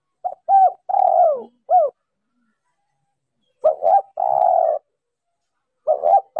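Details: Female spotted dove used as a decoy to excite males, noise removed: a mellow cooing phrase of short notes and one long falling coo, repeated about every three and a half seconds, the last phrase cut off, with silence between.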